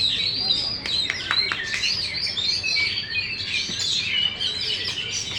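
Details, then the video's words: Contest-winning Oriental magpie-robin, caged, tail fully fanned: high, dense warbling of chirps and ringing whistles, with a few sharp clicks early on, delivered without pause. "KACER BUKA EKOR FULL DAN JUARA"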